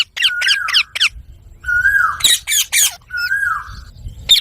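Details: Parrot alternating level, drawn-out whistles with loud, rough squawks and quick downward-slurred chirps, in a varied, chattering sequence.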